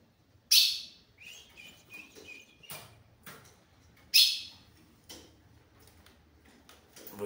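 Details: A male Ultramarine Grosbeak paired with a female, calling to locate her and win her for mating, gives two loud, sharp, high bursts about three and a half seconds apart with a thin sustained whistle between; a man talks quietly.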